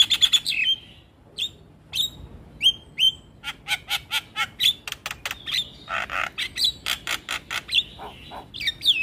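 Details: Javan myna singing actively with a full repertoire of filler phrases, used to get lure mynas to respond quickly: rapid harsh, crackling bursts alternating with clear, high whistled notes, some sliding down, in a dense, fast, uneven run.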